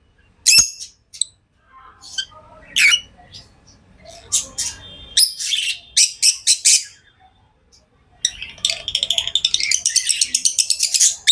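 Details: Tame pet lovebirds chirping: scattered shrill squeaks at first, then a long, fast chattering run of sharp, rapid high notes filling the last few seconds.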